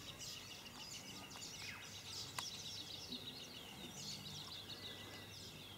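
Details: A one-legged Glossy starling that had lost a leg but seemed to cope gives a steady stream of high, scratchy chattering notes, packed and overlapping without pause, over constant outdoor hiss.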